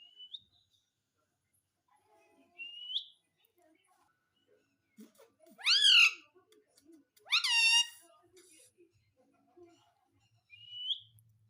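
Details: Indoor talking parrot asking for bread, mixing short rising whistles with two loud, shrill, harmonic spoken bursts in the middle, then another brief whistle at the end, over a quiet background.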